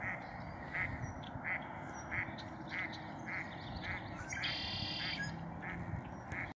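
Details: A red-winged blackbird at Lake Josephine in Billings, Montana, gives short, harsh check notes, a little under one a second, with one buzzy trill midway, over a low rumble of background noise.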